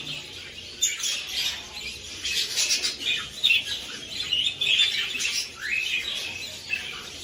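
Budgerigar chicks give a steady stream of high, raspy chirps and squeaky cheeps while being fed.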